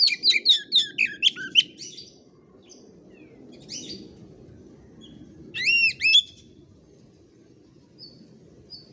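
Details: Oriental magpie-robin lure song for young kacer still developing their voice: fast descending string of bright whistles, a pause with faint notes, then a loud trio of arched whistles, over constant low background noise.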